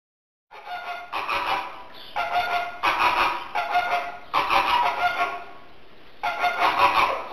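Flamingo calls: harsh, nasal, goose-like honks, given in bursts of about a second, roughly six times in a row, overlapping into a noisy chorus.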